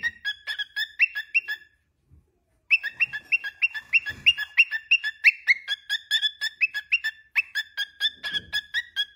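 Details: Talkative pet cockatiel whistling a tune: rapid series of short, clear whistled notes, about three per second, alternating between two pitches in a bouncy pattern, with a brief pause early on.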